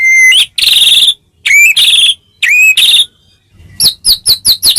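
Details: White-rumped shama singing to prompt other shamas to reply: rising whistled slurs each running into loud buzzy, rasping bursts, repeated three times, ending with a quick series of short chipping notes.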